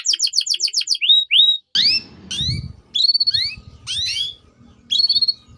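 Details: Canary song played to coax young canaries into singing, with quick repeated chirps, upslurred whistles and sharp downslurred notes separated by short pauses, over faint low rumbling background noise.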